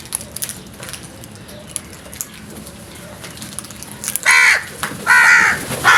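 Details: Loud, scared crows in alarm, with two long, hoarse, grating caws back to back in the last two seconds, then the start of a third, after quieter background clicks and hiss.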